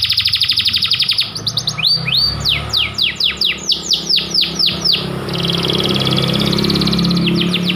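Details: White panda canary in full, persistent song used as a master to encourage other canaries to sing. A rapid trill leads into a series of loud downward-sweeping notes about three per second, then a steady buzzing roll, over a low rumble.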